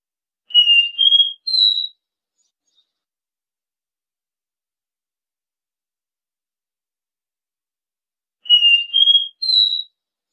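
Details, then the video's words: Copper seedeater singing its three-note do-re-mi song, meant for tutoring young birds; three rising pure whistles delivered twice, with about six seconds of silence between the phrases. "Canto DÓ RÉ MI 3 NOTAS...ENCARTE IDEAL PRA ENSINAR E FOGUEAR SEU CABOCLINHO"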